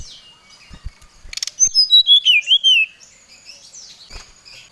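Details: Oriental magpie-robin singing to lure and challenge a rival, agitated: a brief scratchy rattle, then a rapid run of bright whistled notes sliding down and wavering at mid pitch, followed by softer chatter.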